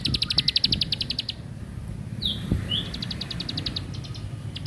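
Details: Plain prinia giving bursts of rapid, high, clicking notes at the start and end. Two short downslurred whistles break the middle, with low background rumble throughout.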